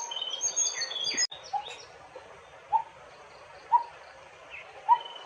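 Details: [1, 'likely', 'call', 'Coppersmith barbet giving low, hollow single notes about once a second, each a short clear tuk, while other birds add high chirps and thin whistles throughout.']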